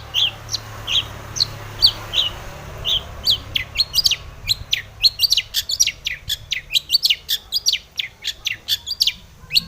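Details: Long-tailed shrike, a lure song to get other shrikes calling: a lively, rapid series of high sharp chirps and trills, speeding up and becoming denser, in a quiet setting.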